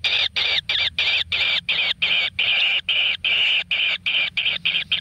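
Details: Kingfisher chicks in a natural nest, fed with frogs: rapid harsh rasping calls repeated about three times a second, each a short buzzy burst, with a faint low hum underneath.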